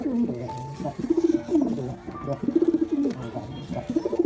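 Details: Pigeons of both sexes giving throaty coos, each ending in a drawn-out warbling note, repeated in three or four clear phrases.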